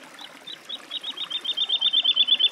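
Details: Woodlark song: a series of sweet, liquid notes starting soft and spaced, then speeding up and growing louder into a rapid, even trill near the end.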